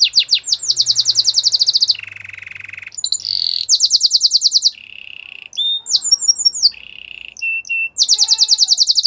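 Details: Belgian canary pouring out a dense medley of fast high trills alternating with lower buzzy rolls, short chirps and abrupt changes of phrase.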